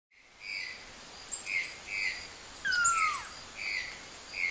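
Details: A tanager recorded in the town of Porto Seguro, Bahia, Brazil, labelled Tangara cyanomelas, gives thin, high chips and tinkling notes in quick clusters, with one clear downward-slurred whistle, over soft insect buzzing.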